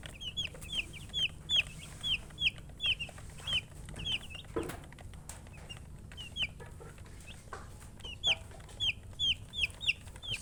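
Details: Chicken chicks chirping: loud, clear, downslurred high peeps repeated about twice a second in irregular runs, one brief thud, steady low hum behind.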